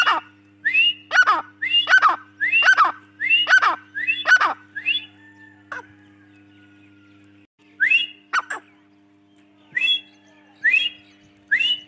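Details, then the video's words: Grey francolin, female voice, in the breeding season: a series of loud, rising, whistled notes repeated about once per second, then a short pause and more scattered rising notes. "Teetar ki Awaz | Dakhni Teetar ki Awaz | Madi voiceTeetar Bird| Teetar Breading season"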